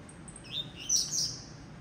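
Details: Blue-black grassquit singing: a short rising note followed by a bright, buzzy high burst, all in under a second against a quiet background hum.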